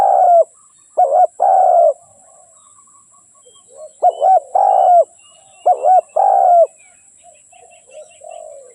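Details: Repeated mellow coo phrases from a spotted dove: two clipped notes leading into a longer, slightly falling rolled coo, three phrases in all. Soft twittering of other birds follows near the end.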